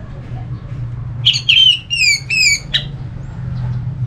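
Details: Orange-headed thrush from North Bali, Singaraja, singing as a prompt to get other thrushes singing: a quick run of high, sliding whistled notes and scratchy chips over about two seconds, over a low steady hum.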